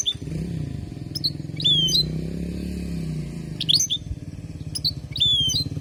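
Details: Goldfinch teaching song from Palestine for young birds: separate bursts of high, fast twittering with downward-slurred whistles, heard over a continuous low rumbling background.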